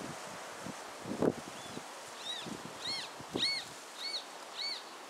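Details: Roadside hawk of the Caatinga, Sertão, gives a series of high, arched whistled notes, about two per second, over soft rustling and faint background noise.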